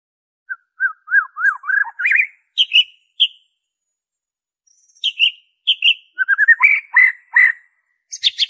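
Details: White-rumped shama song, original and without inserted mimicry, used to lure captive birds into singing: a series of short whistled notes rising in pitch, a pause, then clipped phrases and a quick chattering burst.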